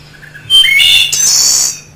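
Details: Wood thrush song at normal speed: soft low introductory notes, then a flutelike rising phrase ending in a fast, percussive high trill; a steady low hum sits underneath.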